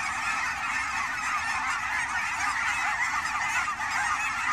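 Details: A big flock of wild Canada geese at the Fern Hill ponds near Forest Grove, Oregon, during fall migration, producing a constant wall of overlapping honking calls with no pauses.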